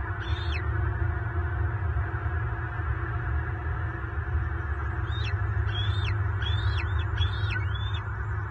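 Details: Adult bald eagle at a nest in southwest Florida on 24 March 2023, as a father raising eaglets meets a mature intruder eagle and locks talons. Thin high chattering notes that rise then drop, mostly in a later run, over heavy low rumbling noise.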